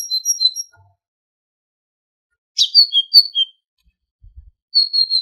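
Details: Singing tit on a goldfinch training recording: short clusters of high pure whistled notes, a brief sharp buzzy onset opening one phrase, with pauses between phrases; a faint low thump once, otherwise quiet.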